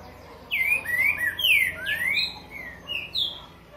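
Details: Curricutil boi song of a green-winged saltator, a phrase of about seven loud, clear whistled slurs, some falling and some rising, delivered in quick succession with brief gaps over roughly three seconds.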